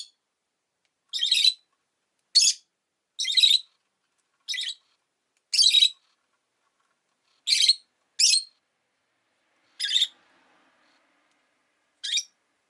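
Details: Short, scratchy high chirps from a pet rosy-faced lovebird, around ten brief notes scattered across twelve seconds with unsteady spacing and silent pauses.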